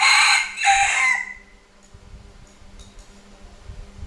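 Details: Rooster crowing at noon: a loud, hoarse, broken cock-a-doodle-doo lasting about a second, ending in a falling drawn-out note, followed by a quiet background hum and faint distant chirps.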